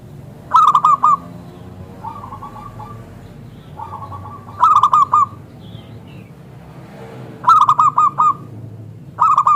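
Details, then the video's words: Zebra dove of local stock cooing to draw replies from other zebra doves: loud phrases of four or five ringing, hooked notes recur every three to four seconds, with softer rolling coos between them. "Perkutut Lokal Gacor SUARA Kristal TEBAL Jitu AHLINYA UNTUK pancingan perkutut NYAUT"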